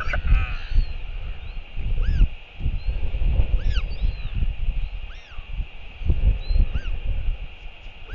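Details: Royal albatross in New Zealand as the father comes home to feed the chick on a March 2023 evening: a short wavering note, then spaced arched nasal calls about once a second, with heavy wind throughout.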